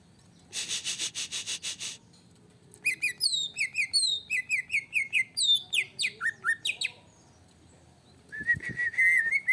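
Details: Agitated greater green leafbird song used to provoke. A harsh, pulsed, buzzy rattle is followed by a lively run of varied whistled and chattering notes. It ends with a sustained, wavering whistle.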